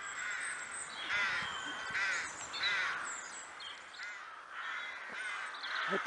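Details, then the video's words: Crows at the Kraaienbos in Kloosterbos, Vaals, giving hoarse drawn-out caws roughly every second, overlapping from more than one bird, with thin high bird calls behind. "Kraaien - Crows"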